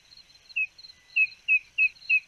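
Spotted nothura giving five short, high peeping notes about every third of a second, over a steady high insect buzz.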